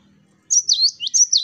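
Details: Cinereous tit, a tutor recording of the lively 'wucit wucit' song style: quick clear whistled notes that swoop down and up, in four or five rapid phrases with no other sound.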